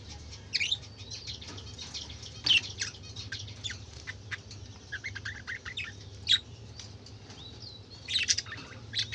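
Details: Colorful budgerigars calling: scattered sharp chirps and scratchy squawks with quieter twittering between them, loud bursts every few seconds over a low background hum.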